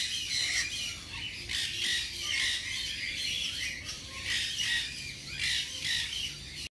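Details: Hand-tame young nanday conure with a leg ring, kept at a pet bird shop, calling with continuous harsh, scratchy squawks over a steady low background hum.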